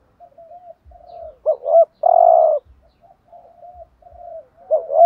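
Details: Spotted dove cooing in the 'thúc gù' style used as a decoy to excite and attract other doves: soft wavering low coos, then a looped two-note coo and a long, loud, buzzy drawn-out coo, then soft coos again.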